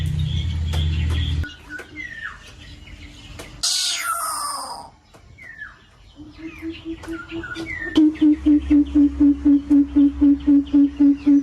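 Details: Coucal in an aviary calling to its flock: a fast, even run of deep hooting notes, about four per second, fills the last few seconds, with many high chirps and twitters from small birds around it.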